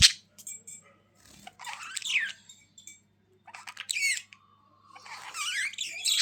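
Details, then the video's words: Budgies calling in separated bursts: a scratchy descending squawk, a short warbled phrase, then a dense tangle of squeaky chirps, with quiet gaps between and a faint hum. "Budgies Sounds for lonely birds to make them Glad"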